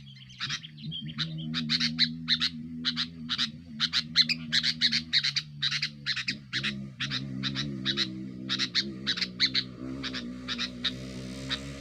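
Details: Sooty-headed bulbul singing aggressively to pressure rivals, used as a lure: steady rapid chirps repeated throughout, over a loud droning, wavering low hum.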